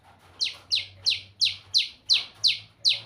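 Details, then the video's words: White-rumped shama singing: a run of eight sharp, high, down-slurred notes repeated about three times a second, with a faint low hum behind. "เสียงนกบินหลาดง ร้องเสียงเพราะ"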